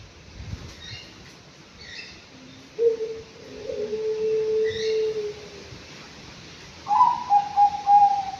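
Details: Aviary-kept Anggungan aged five months: lower, drawn-out hollow notes in the middle, then a quick burst of four or five higher mellow hoots at the end, over quiet hiss.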